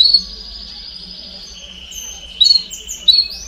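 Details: Canário do reino (domestic canary) baderna song used to encourage fledglings to sing sooner: a long sustained high whistled tone that drops slightly in pitch, then short bright trilled notes near the end.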